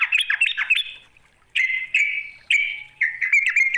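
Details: Yellow-vented bulbul challenging a rival: quick bouncing warbled notes, a short silence, then three loud buzzy chattering bursts in close succession.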